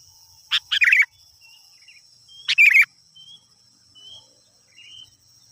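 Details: Sooty-headed bulbul song meant to draw wild birds: two bubbling phrases, each opening with a sharp note, about two seconds apart, followed by faint thin whistles, over a constant high-pitched whine.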